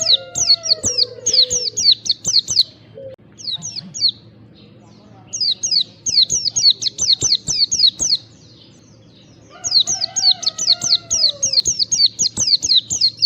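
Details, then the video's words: White-eye recording used as a lure to get caged white-eyes to sing. Bursts of rapid, high, sharply falling chirps, about two seconds each, separated by short pauses, with faint low tones underneath. "pancingan pleci agar bongkar isian || white eye bird call"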